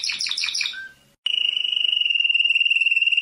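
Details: World champion canary singing: a burst of quick buzzy chirps, a brief pause, then a long steady rolling trill held for about two seconds.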